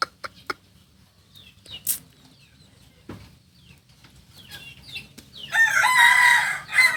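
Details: Native Solok singing rooster of the Kokok Balenggek breed giving a landiak-class crow: soft clucks and faint chirps first, then a loud, extended crow of several linked, wavering syllables lasting roughly one and a half seconds.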